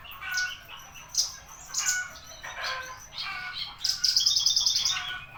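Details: On 24 September at ten o'clock a Javan bushlark delivers harsh chattering phrases and clear whistles, ending with a fast, even trill of bright high notes repeated in quick succession.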